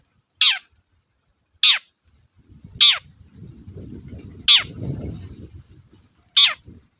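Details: Long-tailed shrike in full voice, meant to provoke sluggish cendet into singing; five grating notes dropping sharply in pitch, irregularly spaced, with a rising low rumbling noise through the middle.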